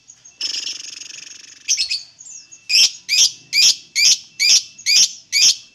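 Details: Lovebird singing: a drawn-out buzzy trill fading over a second and a half, then a row of loud, shrill rasping chirps repeated roughly every half second.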